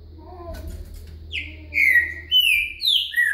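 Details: Soft low murmuring sounds give way to a green-winged saltator's boca mole song with virada: three or four loud, bright whistled notes, each sliding downward, in quick succession over a steady low hum.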